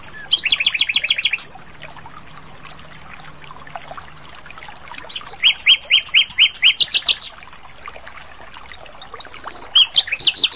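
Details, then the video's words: Wild Asian brown flycatcher in full song: repeated bursts of fast, high, evenly spaced notes, each burst about a second long, separated by pauses filled with faint background chirping. "Masteran Sikatan Londo Gacor Di Alam Liar"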